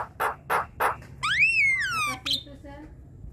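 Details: Javan myna kept with others in a group cage, singing to prompt quiet, lazy birds: three harsh rasping bursts, then one long whistled note that rises and slides down, followed by soft clicks.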